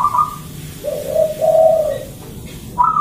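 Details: Local zebra dove singing in the morning, used as a lure and training song: smooth whistled coos, a higher note followed by two longer, lower, slightly rising-and-falling tones, then a high note returning, over a low steady hum.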